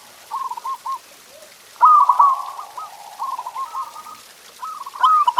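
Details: Perkutut or zebra dove song meant to stimulate pet doves: soft stuttered coos, then a loud vibrating trill phrase and further bubbling, rhythmic coo notes, all low-pitched and mellow.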